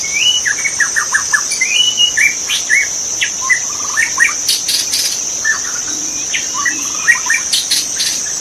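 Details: Wild magpie-robin singing in forest: varied whistled phrases of short slurred notes and quick stuttering runs, given in rapid bursts over a loud, steady high insect drone.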